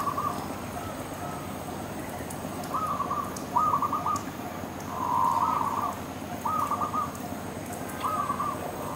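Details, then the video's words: Dove calling from a tree: short, hollow, tonal cooing phrases given irregularly, with one longer drawn-out note near the middle, over steady background hiss and faint clicks. "Dove Sound On The Tree"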